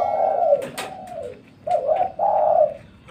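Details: A spotted dove at a home in the daytime gives soft, low, hollow coos: a drawn-out note, a pause, then two more close together; a brief click near the start.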